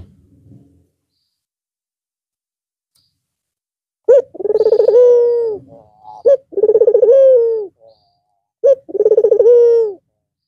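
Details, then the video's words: A white red-eyed Barbary dove coos once more after a long rest over the Eid al-Fitr holidays. Quiet at first, then three coos in quick succession, each a sharp note, rapid pulses and a long descending tone. "Puter Putih Mata Merah Manggung Lagi Setelah istirahat sekian Lama"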